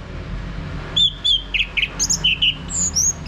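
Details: Orange-headed thrush song from Bali used to prompt a male to sing ngeplong: a brisk sequence of short, clear whistled notes at varied pitches, some paired, delivered in about two seconds over faint hum.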